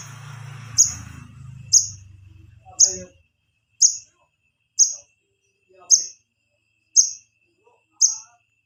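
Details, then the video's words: Wiceh chick calling for its parents as a lure for adults: eight crisp, high-pitched chips spaced about a second apart, with brief human speech and a low hum at the start, then quiet. "suara anakan wiceh buat manggil indukan"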